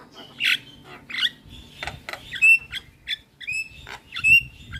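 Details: Training song of a Javan myna to make a silent bird respond: harsh squawky bursts alternate with clear, high whistled notes and clicks, in loud, separate phrases.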